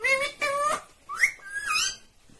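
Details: Green Indian ringneck parakeet talking: a few quick word-like syllables with strong harmonic bands, mixed with whistled rising and sliding notes, in a small indoor room.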